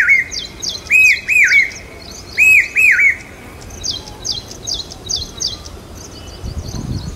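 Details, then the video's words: Common hawk-cuckoo near Aurangabad calling loud during the monsoon, said to signal rain: loud, arched whistled notes in quick pairs, repeated twice in three seconds, then fainter, higher chirping from other birds in a quiet rural setting. "पपीहे की मधुर आवाज Common Hawk Cuckoo Calling Loud During Mansoon"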